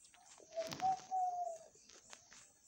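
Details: Zebra dove cooing at night: a soft, low, drawn-out coo broken into a few short pulses that run into one long steady note, fairly faint, with a high insect-like hiss throughout.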